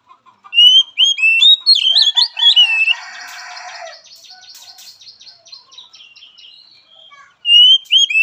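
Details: Oriental magpie-robin song used as training audio for a weak-spirited bird: bright whistled slurred notes and rapid chattering phrases, then a long stretch of fainter buzzy trilling, ending with loud whistles again.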